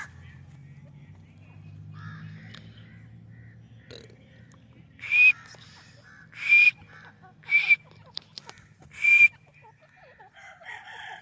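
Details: White teetar, a white francolin, gives four loud, harsh, ringing notes with a whistled edge in its second half, spaced one to one and a half seconds apart, after a quieter stretch of low humming and scattered soft chirps.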